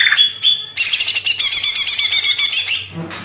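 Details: Indonesian greater green leafbird, Banyuwangi origin, delivering a few brief whistles then a rapid, rhythmic stream of high chirping notes, about four per second, for two seconds.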